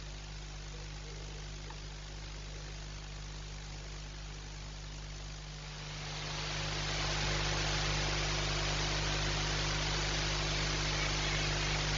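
Steady low electrical hum and broadband hiss, swelling halfway through into a louder, even rushing like wind or rain, with no animal calls.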